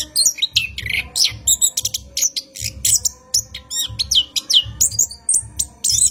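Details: Orange-headed thrush singing at night, a long rolling lure song for training cage birds: a rapid run of high whistles, sharp chirps and slurred notes, with dull low thumps pulsing underneath.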